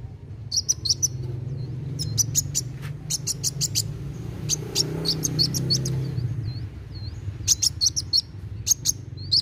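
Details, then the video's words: Sunbird known locally as kolibri wulung, singing nonstop in a fast style meant to stimulate young birds: bursts of high, thin chips and short twittering trills, separated by pauses, over a low background hum. "KOLIBRI WULUNG GACOR NARUNG CEPAT MERANGSANG BUNYI BURUNG BAKALAN"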